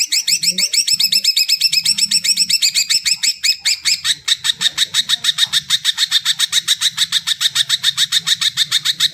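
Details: Greater green leafbird song, offered as a recording to prompt birds that are not yet singing: a fast, loud train of sharp, buzzy chattering notes, about eight per second, first slurred and varied, then steady and evenly repeated to the end.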